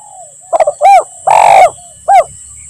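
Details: Lure call of a spotted dove in 'lambung Kuk 1 Mersik' style, meant to make silent birds respond: stuttered opening notes, short coo, long coarse coo, short ending coo, faint soft trailing notes and a constant high whine.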